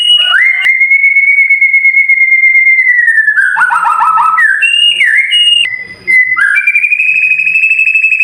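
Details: White-rumped shama tutor song meant to get silent caged birds singing, described as sharp and clear: one long steady whistle held for about two seconds, followed by short slurred and rising whistled notes.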